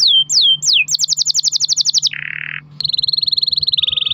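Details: Domestic canary singing a long-roll lure song for other canaries: slurred whistles, a rapid even trill of high notes, a short lower buzz, then a long, fast, slightly falling roll.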